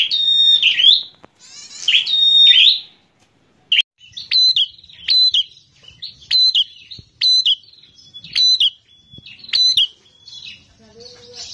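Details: Bar-winged prinia, a visiting bird with a combative temperament, delivering strident song: two long buzzy opening phrases, then short sharp whistled-and-rasping bursts repeated roughly every second.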